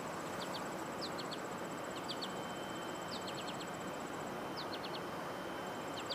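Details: American goldfinches calling outdoors on 14 July 2022, with faint high short notes in quick clusters of two to four, repeated every second or so, over steady rural background noise and a thin continuous high tone.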